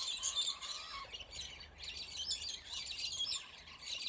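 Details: Fighting scaly-breasted lorikeets, highly territorial and aggressive birds, wrestling in a dispute; steady rasping high-pitched screeches and squeals run on with little pause throughout.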